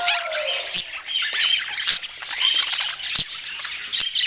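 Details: Budgerigars warbling and squawking together; a descending whistle opens, then a busy stream of high chirps, squeaks and scratchy notes continues with short bright whistles scattered through it.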